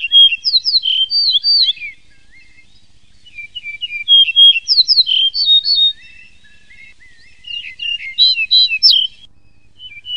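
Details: Yellow-breasted bunting singing repeated phrases of high, clear whistles and short slurred notes, each burst lasting about two seconds and separated by quiet gaps, with a faster jumbled phrase near the end.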